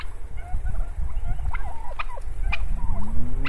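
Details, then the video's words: Live turkeys calling: scattered short yelps and sharp clucks over a constant low rumble, with a rising hum toward the end. "Canlı misirga hindi sesleri gulugulu diyerek ötüşleri"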